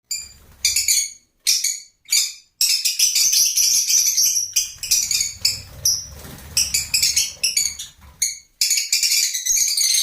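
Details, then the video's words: Lovebirds giving shrill, harsh chirps and squeaky rasping notes in bursts of one to two seconds, separated by brief silences, with a faint low hum underneath. "Love Birds Nature Sound"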